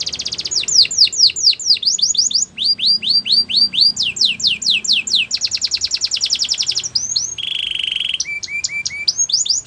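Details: Canary performing song for training, changing tours quickly: fast falling swoops, clipped repeated chips, a rapid rattle, a held lower whistle and short twittering notes.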